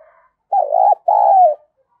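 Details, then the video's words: Female spotted dove cooing to excite males: two loud hollow coos around half a second each, the first wavering, the second long and slightly falling, on a clean silent background. "cu mái gáy kích trống hiệu quả, trống nghe rất phấn khích và nổi nhanh"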